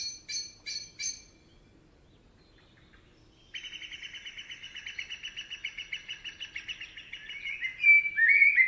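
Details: Common blackbird in a forest in Spain: three hard metallic chinks, a pause, then a long, fast, buzzy chattering rattle that grows louder and ends in slurred whistled notes.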